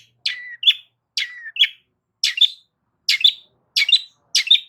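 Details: Long-tailed shrike giving loud song to provoke rivals to reply; two-part phrases, a harsh rasp or sliding whistle then a bright chip, six phrases spaced under a second apart.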